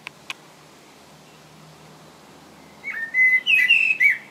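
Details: Common blackbird singing in England: after two brief clicks and a quiet stretch, a burst of rich, fluted, warbling whistled phrases begins near the end and runs for about a second and a half.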